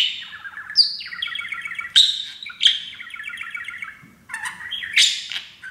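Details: Pet male parakeet, happy on a new playground, chatters in rapid, scratchy warbles with sharp chirps and clicks every second or so, practising taught phrases like "baby bird"; the mimicked speech is too garbled to make out.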